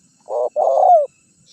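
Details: Single lure phrase from a spotted dove meant to attract wild birds: a short coo then a longer rolling coo finishing with a falling slur.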